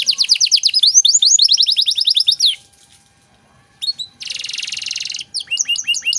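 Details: Canary singing a rapid high descending trill, then falling silent for over a second, followed by a harsh buzzy rattle and short curving whistles; 'cengkok mewah' style tutor song for untrained songbirds.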